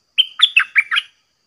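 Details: Chattering 'dok taeng' song of a caged Red-whiskered Bulbul that sings without stopping against bold wild birds: a clear whistled opening, then four fast bubbly notes in a single phrase.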